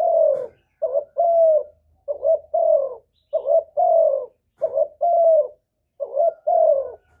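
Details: Spotted dove calling to stir other doves to answer: repeated deep, mellow coo phrases, each a brief note followed by a longer drawn-out one, about six phrases in seven seconds, no other sounds.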